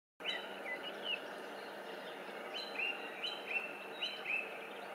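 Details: Song thrush singing at a distance at Burg Eltz in the Elz valley, Rhineland-Palatinate, Germany: short, clear whistled phrases, some sliding up, in quick loose bursts over a steady hiss of wind or running water.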